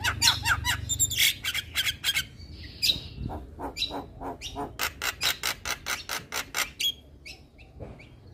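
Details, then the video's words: Singing male white-eyed Javan myna, played to prompt reluctant mynas to sing: a long run of harsh, rasping broadband notes repeated in quick succession, with a few whistled accents and a low hum at the start. "Pancingan Burung Jalak Malas Bunyi Dengan Suiara Jalak Kebo Jantan Mata Putih"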